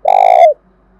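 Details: Spotted dove calling vigorously, a recording used to lure other birds: one loud, rich, mid-pitched coo lasting half a second, steady then dipping slightly at the end, followed by near silence.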